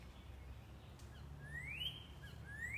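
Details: Male northern cardinal in the morning near empty bird feeders, with a female seen nearby earlier, giving a whistle distinct from its clicking call: a clear, slurred note sweeping up and falling away, then another rising note, over a low steady rumble.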